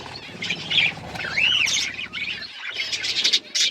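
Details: Colourful budgerigars chirping: warbled whistles and a clear rising-then-falling whistled note amid scratchy chatter, with a short gap before bursts of sharp squawky notes.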